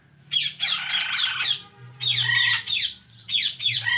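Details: Loud, harsh squawks from an Indian ringneck parakeet, three drawn-out raspy bursts separated by brief gaps, the last ones clipped shorter.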